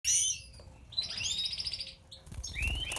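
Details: European goldfinch of the Major white-throated type singing, with bright twittering, tinkling notes high in pitch, some short rising slurs near the end, and a low background rumble.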